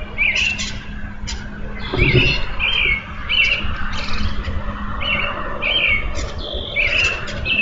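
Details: Songbird singing near an eagle nest, picked up by a live eagle cam in Minnesota on April 8, 2014: short, bright chirped notes repeated every half second or so, over a steady low hum and outdoor background noise.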